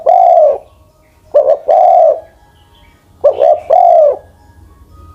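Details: Over-ten-year-old spotted dove kept as a decoy for ground trapping, cooing steadily: a long hoot, then two phrases each made of a quick paired note and a sustained, gently falling coo.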